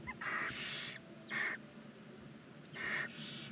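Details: Nine barn owl chicks, 19 days old, in a nest box beside a chimney under a stork nest in Ságvár, Hungary, captured by a live nest camera: three harsh, broad hissing bursts, the first long, then two shorter, over a low hum.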